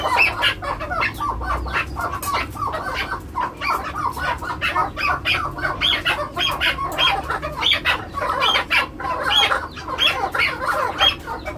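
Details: Seven-month-old male Maskati chukar partridge on a farm giving rapid, dense clucking chuck notes in an uneven, continuous chatter, the bursts rising and falling in loudness over a low background hum.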